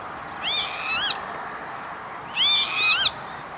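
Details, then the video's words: Northern lapwing on an industrial estate near Veenendaal, the Netherlands, 28 May 2013: two harmonic, wheezy calls about two seconds apart, each sliding and ending in a sharp upward flick. "Kievit - Lapwing - Vanellus vanellus"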